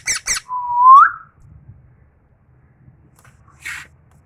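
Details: Tame parrot indoors: two short rough chirps followed by a smooth whistle that holds level then slides upward, later a single faint scratchy note over quiet room hum.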